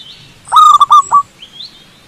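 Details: One full phrase from a wild zebra dove on a cable: a trill of rapid, stuttering coos ending in a separate final note, followed by a soft rising chirp from another bird.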